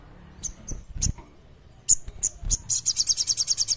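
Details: Common iora singing in the kleper style, used as a lure to get reluctant birds singing: several separate sharp high chips, then a fast, even trill of about a dozen notes in just over a second.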